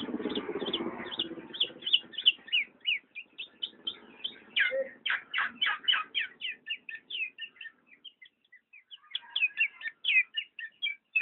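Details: Black-naped oriole calling in quick runs of sharp, clear notes after a brief rustling noise at the start, with a short lull before the notes resume.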